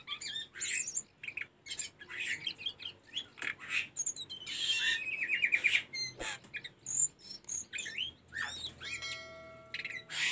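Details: Training recording of Sunda robin song for caged birds: a dense, busy run of high chirps, buzzy rasps and rapid trilled phrases, ending in a rising whistle series and sharp notes.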